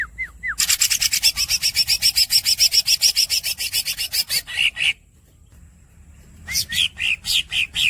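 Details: Cucak ijo, the greater green leafbird, in a tutor recording of squeaks and long rolls. Quick downslurred whistles lead into a long stuttering roll of buzzy notes, about eight per second. After a pause come more buzzy notes and rising squeaks over low hum.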